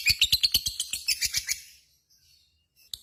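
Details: Lovebird in full song with a brief 'ngekek' burst: rapid, high, rattling chatter of about a dozen evenly spaced notes over one and a half seconds, fading out, followed by a single sharp chip.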